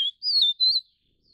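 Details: Vivid niltava, subspecies Niltava vivida vivida, giving three pure high whistles in quick succession; the first is brief, the second slides gently downward, and the third holds a level, slightly wavering pitch. The recording is clean and quiet.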